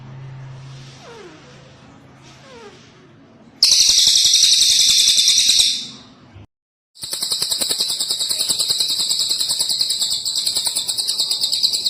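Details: Cililin bird giving a loud, very high, rapid buzzing trill that runs for about two seconds, breaks off briefly, then resumes as a long sustained trill. Faint, softer background sounds come before it.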